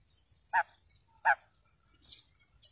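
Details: Female quail call used to lure quails for trapping: two short, hoarse notes about three-quarters of a second apart, then a fainter higher note in a quiet background.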